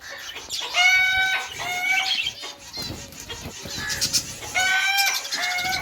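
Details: Lovebirds of various mutations calling: loud, shrill, ringing screeches, each held about half a second, come in a repeated series with short breaks, over a busy background of chatter.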